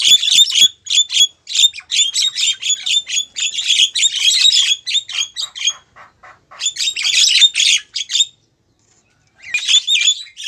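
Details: Female Javan myna calling a male, with loud, rapid bursts of harsh, squeaky high chattering separated by short pauses and a longer silence before a final burst.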